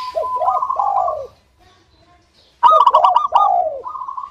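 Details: Lively local zebra dove singing to coax other doves into song: two bursts of soft, rolling coos with quick staccato notes, separated by a silent gap of over a second, the second burst starting sharply and loudly.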